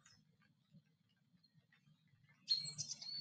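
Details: Black stork at its nest in Notecka Forest, Poland, 17 April 2023, returning after another stork leaves and singing: one loud, high, wheezy whistled phrase near the end, after quiet with a faint low hum and soft chirps.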